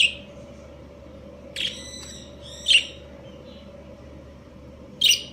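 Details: Breeding pair of budgerigars (Australian parakeets) giving scattered high, scratchy chirps, some with a ringing, layered tone, spaced one to two seconds apart over a constant low hum.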